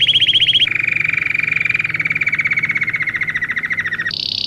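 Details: Belgian canary song, used to teach canaries to sing. A rapid rolling trill of repeated notes steps from a higher phrase down to a long, steady lower tour, then jumps to a brief, bright, high buzzy ending.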